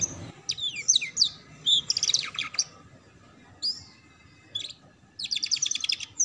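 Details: Canary song used as a master recording to teach young canaries the ngeriwik sound: sharp high chirps, swooping whistled notes and fast dry trills in separate bursts, ending in a rapid rattling series.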